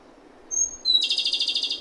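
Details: Japanese robin song opening with two long, pure high whistled notes, the second a touch lower, followed straight away by a rapid rattling trill of about a dozen pulses, clear over a quiet background.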